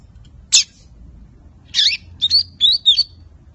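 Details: A five-month-old lined seedeater still learning its song gives two high buzzy bursts, then a quick run of slurred, rising-and-falling whistles, all thin and high-pitched.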